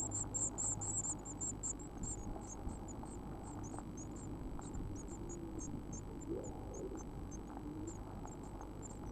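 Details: Eurasian blue tit chicks in a nest box, growing, with flight feathers developing and probably within a week of fledging: very high, thin, rapid begging notes in quick bursts, loudest at first and thinning out later, over a low steady hum.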